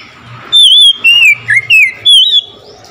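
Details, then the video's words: Oriental magpie-robin singing vigorously after hearing a rival magpie-robin: five clear whistled phrases, wavering and sliding down, then a final rising whistle, over a low murmur of background noise. "SEKETIKA MENDENGAR KACER LAIN LANGSUNG IKUT GACOR"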